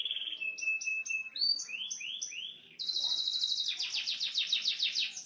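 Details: Small standard canary singing a varied song in the cililin style: repeated high whistled notes, short downslurred phrases, then a fast dense buzzy high trill rolling on steadily.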